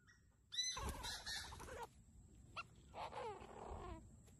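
A francolin gives two loud, harsh, grating bursts about two seconds apart. A thin, steady high whine runs underneath.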